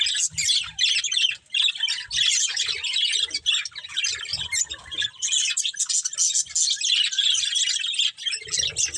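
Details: Budgerigar breeding pair keeps up a steady warbling chatter, rapid squeaky chirps and grating notes running almost without a break, with occasional soft low knocks in the background.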